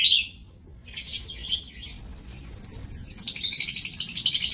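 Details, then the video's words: Lovebirds kept in an aviary cage, recorded 7 June 2024: scattered high, harsh chirps and squeaky twitters in short bursts, with a low background rumble. "Aviary Lovebirds"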